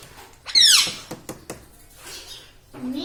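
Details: A talking pet green ring-necked parrot is heard. One loud, strained, descending harmonic cry is followed by clicks and taps, then a short, lower voiced sound at the end, all indoors.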